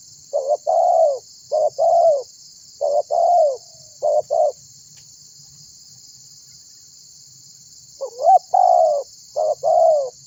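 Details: Spotted dove in full voice, calling other birds to sound too, used as a lure: a burst of short and long coos, a five-second silent gap, then another coo series, against a high steady hiss.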